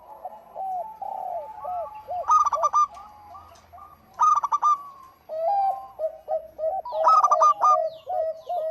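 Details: Active local zebra dove song for prompting other birds: low rumbling background under soft coos, then three loud staccato note bursts, the last overlapping dense cooing phrases.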